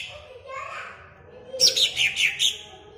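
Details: Greater green leafbird kept caged at Jatirejo, Ampelgading, Pemalang. Soft indistinct sounds come first, then a quick burst of five bright, sharp notes falling in pitch.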